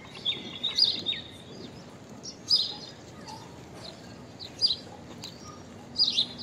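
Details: Unusual call of a common myna, also called Indian myna: a thin whistled note, then bright, sharp, high chirps spaced about two seconds apart against faint background hiss.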